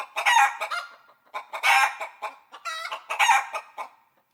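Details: Rooster, a chicken: loud harsh clucks in three bursts about a second and a half apart, each a rough harmonic squawk with quick softer clucks between, on a quiet background.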